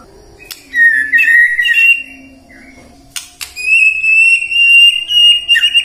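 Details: White-rumped shama song used to prompt singing morning, midday and afternoon: two bright, high whistled phrases separated by a pause, the second long and steady, with sharp clicks between them.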